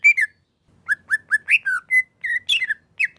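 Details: Male greater green leafbird, a caged songbird in Indonesia, gives a string of short clear whistled notes, some slurred down and some rising, with brief pauses between them.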